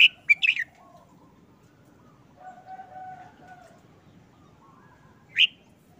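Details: A caged red-whiskered bulbul, moulting and subdued since its cover was lifted, opens with a quick three-note whistled phrase. A faint steady tonal call runs midway, and a single loud whistled note closes the recording.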